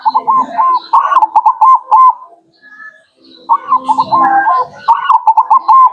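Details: Zebra dove song meant to draw in local birds: two bursts of quick, rolling, rising-falling coo notes separated by a silent pause, with a faint low hum under the second burst.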